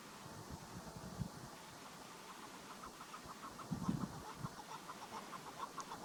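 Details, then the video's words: Female chukar partridge calling, used as a hunting lure: a faint run of short, evenly spaced notes repeated several times a second, over steady low rumble with a few louder low thumps. "Dişi Keklik Sesi Dinle Meri Keklik Ötüşü Dişi Keklik Av İçin Kızgın Dişi Keklik Sesleri"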